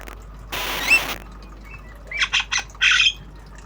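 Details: Obyogan-style jalak kebo, a black-winged starling, learning sounds: a loud hissing rustle with a thin whistle inside, then four harsh, buzzy notes in quick succession, the last one longest.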